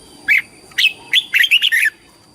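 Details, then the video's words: Red-whiskered bulbul performing competition song for flock calling and voice training: a loud phrase of separate whistled notes speeding into a fast run of clear chirps that drops slightly at the end. "TIẾNG CHIM CHÀO MÀO HÓT - HÓT ĐẤU - KÍCH BỔI - GỌI BẦY - LUYỆN GIỌNG"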